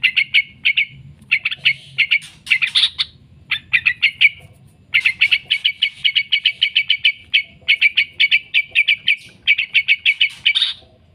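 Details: Long ngekek chatter from a yellow-vented bulbul, used as a master lure for training trucukan: scratchy notes in fast rattling runs broken by short gaps, some ending in a rising squeal, quiet background.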